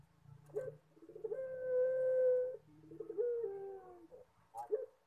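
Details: Puter pelung collared dove in its "horror" song: a rattling start builds into a long level coo of over a second, then a shorter coo that slides down, and a final brief note.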